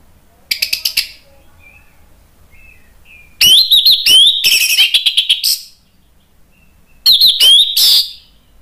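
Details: Orange-headed thrush singing in the loud, continuous ngeplong style, used as a lure so other birds answer. Bursts of harsh, buzzy, rattling phrases mixed with bright whistled slurs come in three loud bouts separated by near silence.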